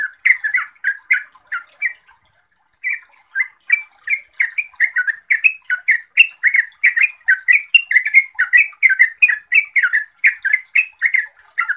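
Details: Yellow-vented bulbul (trucuk) in full gacor song: bubbling chatter, a short pause near two seconds, then a long dense string of warbled, down-slurred notes.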